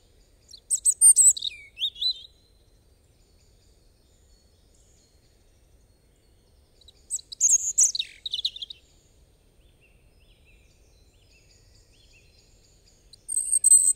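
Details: European robin singing three separate high, sweet warbling phrases of trills and sliding whistles, spaced by long quiet pauses of several seconds, against faint background noise.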